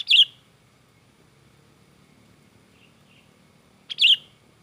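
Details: Sooty-headed bulbul in agitated song: a bright, bubbly warbled note, nearly four seconds of quiet, then a matching note, against a soft low hum.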